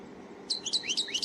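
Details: A European goldfinch of the Qadoussi type, a singer from eastern Algeria, sings a quick burst of bright, tinkling twitters, high-pitched notes sliding up and down in a rapid jumble after a brief quiet start.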